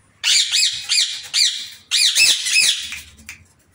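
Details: Indian ringneck parrot kept in an aviary uttering a rapid run of hoarse, rising-falling squawks, two clustered series of shrill raspy cries with a short gap between.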